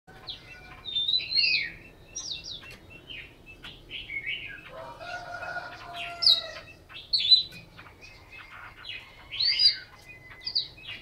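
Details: A Chinese hwamei, a caged bird in Hanoi, sings a loud, varied song of high whistled and slurred phrases, changing every second or so, over a faint low hum.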